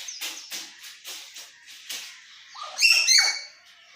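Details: Talking common hill myna giving soft repeated clicking notes at about four per second, followed by a loud, bright, ringing whistled phrase that breaks off abruptly.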